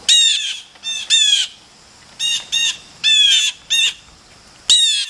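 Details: Blue jays, excited and chatty while rushing in to grab peanuts, give loud harsh squawks in quick pairs and triplets, rich buzzy notes repeated throughout the few seconds.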